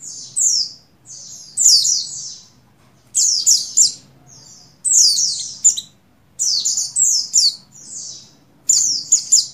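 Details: Oriental white-eye female, in breeding condition, calling to a male, used to prompt buxtoni males to sing, dated 7/3/21: repeated groups of two to three thin, falling, high chirps in steady bursts over nearly ten seconds.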